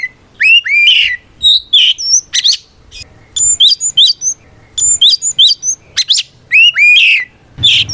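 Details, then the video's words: Caged Oriental magpie-robin in full fighting song, used to provoke other magpie-robins into answering: loud whistled phrases, rising slurred notes and sharp high chips in quick bursts separated by short pauses, clean background. "Suara Burung kacer gacor NGEPLONG tarung ini paling ampuh buat PANCINGAN KACER agar EMOSI Nyaut"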